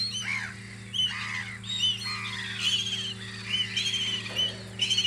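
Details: Spring gulls on Audru polder call in short, downward-curving, squealing notes, several birds trading cries in quick bursts, with a faint low hum underneath.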